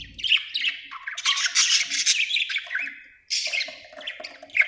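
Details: Budgerigar chirping in bursts of scratchy, buzzy warbling chatter with brief pauses between phrases, the last burst ending in a sharp high squawk.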